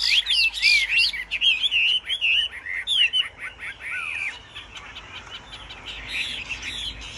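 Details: Caged Chinese hwamei singing in a contest, a loud, rich run of varied whistled phrases: fast rising and falling slurs and trills, tightly packed for about four seconds, then softer, thinner notes with a faint background bird.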